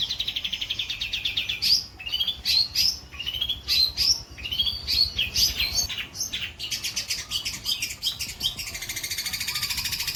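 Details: White-breasted long-tailed shrike delivering a varied, fast song: rising whistled slurs, dense chattering trills and harsh buzzy notes strung together almost without pause.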